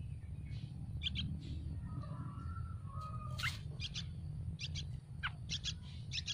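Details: Yellow-vented bulbul chicks in a tree nest, hungry and begging for food, give scattered thin high chirps, often doubled. A lower drawn-out whistle runs underneath, with constant low background hum.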